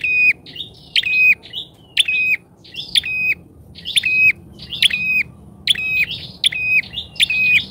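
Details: Bar-winged prinia lure bird calling boldly. Eight or nine loud, buzzy calls at a slightly uneven pace near one per second, each a sharp clicking attack and then a steady rasping note.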